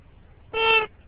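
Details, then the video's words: Pet green-winged macaw talking during a morning drive: one steady, level, harmonic-rich utterance lasting about a third of a second, with soft vehicle rumble in the background. "Green Wing Macaw Parrot Talking"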